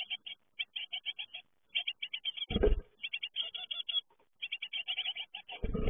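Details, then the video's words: Young great tits fledging from the nest, calling in fast runs of short, harsh high notes repeated several times a second, with two loud low rumbling bumps. "Uitvliegen koolmeesjes"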